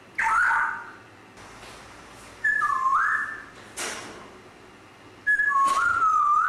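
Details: Grey parrot producing a series of whistled phrases: a bent note, then a pair of flat and swooping tones, and later a rising glide, separated by short pauses with faint clicks.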